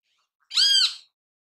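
A Great kiskadee gives one harsh, nasal note lasting about half a second. It rises and then falls in an arch, with a buzzy, strident tone and no other sounds.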